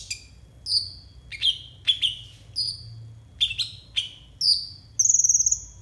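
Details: Konin singing for use as a mastering track for young, untrained konin: clear, high whistled notes that slide downward, delivered one after another at roughly half-second intervals, ending in a quick trilled rattle.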